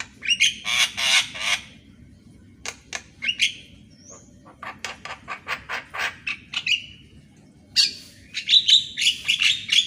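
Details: Morning song of a Javan myna used as a training recording: bursts of harsh buzzy chatter and quick clicking notes, a brief pure whistle, then louder wheezy squeaks near the end.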